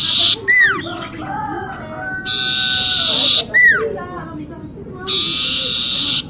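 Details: Singing common iora alternating sustained buzzy notes with loud descending swoops, plus a few softer wavering whistles in the gaps.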